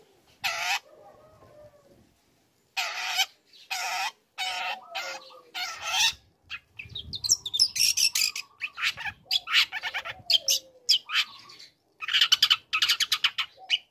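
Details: Lure song of a young long-tailed shrike meant to rouse other shrikes: long harsh rasping phrases at first, then a busy stream of rapid scratchy chatter and mimicked notes.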